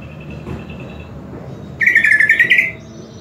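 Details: Greater green leafbird, a kept songbird being used as a tutor recording: a loud, dense warbling burst around the middle-high range lasting under a second, preceded by a faint steady thin note.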